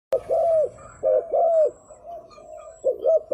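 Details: Spotted dove, a tame decoy bird whose call is used to lure wild doves, giving deep, rounded coos in short bursts of two or three notes separated by pauses, with faint higher chirps in the background.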